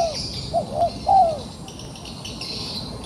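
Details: Wild pigeon caught in a trap yet still fighting, giving a few short low cooing notes followed by a longer drawn-out coo, over a steady high insect hiss.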